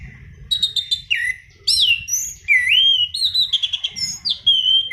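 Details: Rich, varied, rolling song from a Black-throated laughingthrush, used to lure and tutor birds: quick chips, swooping upslurred and downslurred whistles and long warbled phrases running together without a break, with faint low rumble behind.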